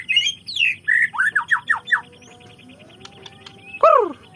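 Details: White-rumped shama singing: a clear series of whistled downslurred notes, several quick falling phrases in a row, then a pause and one loud rich descending whistle; faint steady tone and low murmur behind.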